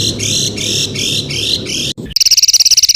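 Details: Songbird used as a training tutor for competition birds such as magpie robin and leafbird, with a varied, full song: repeated buzzy rising phrases, then a rapid run of sharp high trilled notes.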